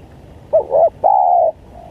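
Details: Single phrase of a spotted dove lure call for wild doves: two quick, bent coos followed by one longer, smooth, level coo.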